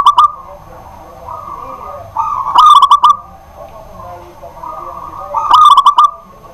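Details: Local zebra dove kept at home singing vigorously at night: sustained rolling cooing trills near one pitch, in two bursts a few seconds apart, each joined by sharp broadband clicking sounds, over a low background hum.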